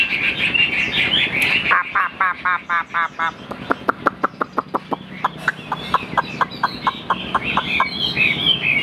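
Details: Tame caged hwamei (họa mi) singing freely: a burst of rich varied warbling, then a long series of sharp, evenly spaced repeated notes about four per second, ending in more warbled phrases; a man laughs and talks nearby.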